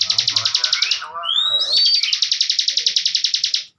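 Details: Captive bar-winged prinia giving a master song for training young contest birds: a long rapid buzzy pulsed trill broken by rising whistled slurs in the middle, then resuming evenly for about two seconds.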